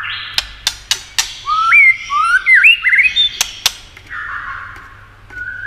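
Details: White-rumped shama song used to stimulate other shamas: a few sharp clicks, then a chain of rising whistled and warbling phrases, ending in softer buzzy held notes.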